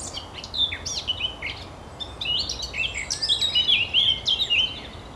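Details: Eurasian blackcap song, recorded 24 April 2012 at the Oostplas in Goirle, Netherlands: a scratchy warble of quick notes building into clear, loud fluting whistles near the end, over faint background hiss.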